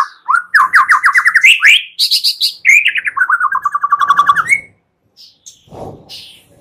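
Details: Morning lure of a white-rumped shama to set other shamas singing: fast rattling trills of repeated notes, rising then falling, interrupted by a high buzzy burst, ending with a rising whistle and faint low sounds.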